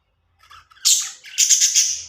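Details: Several budgies making happy sounds: a faint soft twitter, then a bright burst of high, scratchy chirps, followed by a longer run of rapid pulsed chattering notes that fades out.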